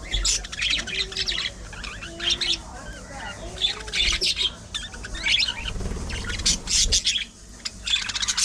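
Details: Aviary colony of budgerigars: many birds chattering at once with squawky warbles and sharp chirps in overlapping bursts, some low thumps.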